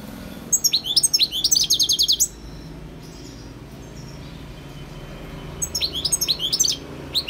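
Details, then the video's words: Two phrases from a wild European goldfinch, each a quick, high twitter that rolls into a fast series of repeated trilled notes. The phrases are separated by several seconds of quiet background hiss. "GOLDFINCH SINGING"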